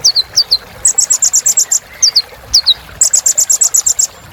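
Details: Sunbird singing a rich filler song to stimulate other birds: paired thin downslurred whistles alternate with fast series of bright high chips repeated about two per second.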